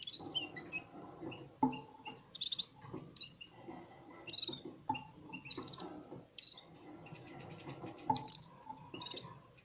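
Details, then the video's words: Red-fronted serins and other birds warming up their song: short, high trilled bursts and single chirps spaced a second or so apart, over low clicks and rustling. "Попели поели и опять попели в Унисон Красношапочные вьюрки"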